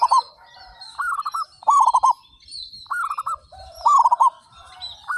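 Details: Local zebra doves, a group of 35, singing actively with big voices; short rolling phrases of quick staccato coos, each under half a second, come in bursts about every second, with faint high chirping from other birds behind.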